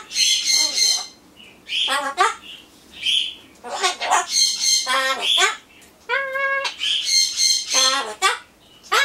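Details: Captive Solomons corella chattering alone while it waits for a pumpkin treat, mixing raspy mimicked words with rich harmonic vocal phrases and hoarse squawky syllables in quick uneven bursts in a small room.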